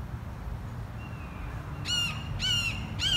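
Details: Hawks calling back and forth to each other on a nature walk in a children's garden: harsh, rasping screeches, three in quick succession, each dropping slightly at the end, over a low outdoor rumble, with water splashing off rocks and birds chirping nearby.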